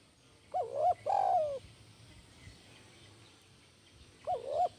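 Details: Spotted dove (tekukur) performing the 'kuk 1' cooing song: one full phrase of short rising coos ending in a sustained falling note, then the start of another phrase about four seconds later.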